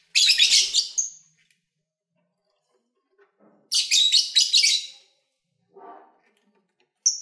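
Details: Lovebirds kept as pets, recorded in February 2019 during eating and play, burst into two loud, harsh chattering bouts about a second long each, separated by near silence and a faint low rustle.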